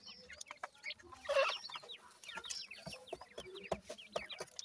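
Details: Several francolin chicks chirp continuously, thin curved peeps in overlapping series, with a brief louder burst and occasional sharp clicks over a low hum.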